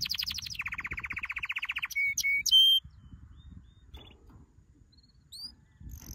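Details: Canary singing a training song: a rapid high trill, then a lower rolling trill, a few sharp rising whistles and a quiet gap before faint upslurred notes.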